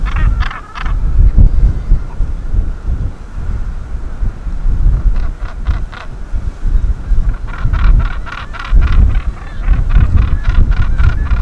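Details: Northern Gannets atop Bempton Cliffs in the breeding season, busy with breeding duties, give harsh, grating calls in quick rasping bursts of several pulses, over strong, rumbling wind buffeting the microphone.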